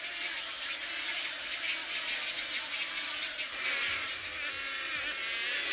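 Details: Several hundred young Wood Storks, too young to fly, beg for food from their parents in a nesting colony, a dense, unbroken hissing and rasping roar with a rattling, clattering texture and no pauses.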